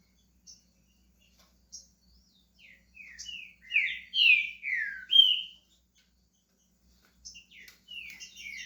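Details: Pet green-winged saltator starting to sing, scattered soft notes building to a loud cluster of descending whistled phrases, then fading back to thin chirps after a short pause.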